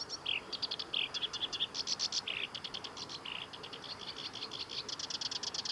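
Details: Song of a black-browed reed warbler at the Kita-Fuji training area, Japan, 23 July 2021: fast dry rattling chatter in bursts, interspersed with a few lower slurred buzzy notes, continuing steadily throughout.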